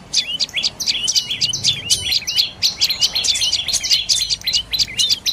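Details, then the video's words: Shrill repeated notes from a dark-necked tailorbird, about four per second in uneven clusters, each a sharp downward sweep, from a Thai bird of forest, bamboo and fruit orchards. "เสียงนกกระจิบคอดำDark necked Tailorbird Sounds"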